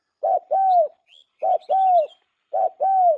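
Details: Trapping lure call of a spotted dove: three evenly spaced phrases, each a brief low coo followed by a drawn-out arching coo, with a faint high twitter from other small birds between phrases.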